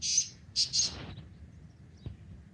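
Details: A black francolin calls in a forest in the morning, giving three harsh, grating high notes, a short first note then two quick ones, against a faint low background rumble.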